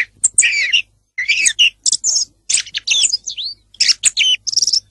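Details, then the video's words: Song thrush singing a rapid, varied run of high chirps, trills and whistled slurs, about seventy short notes a minute, with a few thin, very high squeaks among them. "song of the thrush (canto del tordo bottaccio)"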